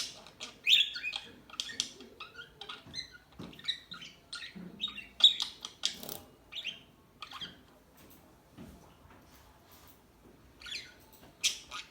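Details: Softer, somewhat distant twittering from small birds: scattered high chirps and squeaks, busier at first and thinning out toward the end.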